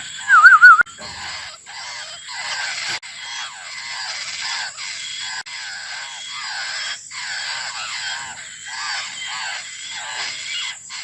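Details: Laughingthrush chick begging for its mother: a steady run of short, scratchy, downward-curving notes repeated rapidly for the whole stretch, preceded by one brief loud wavering whistle at the start.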